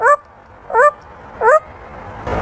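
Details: Talking African grey parrot imitating a dog's bark on request: three quick yip-like notes, evenly spaced, then a brief noisy scuffle.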